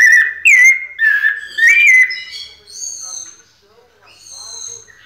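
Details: White-necked thrush in a cage singing pianado. Three loud whistled phrases with rising and falling slurs open the passage, followed by faint, high, drawn-out notes that fade out.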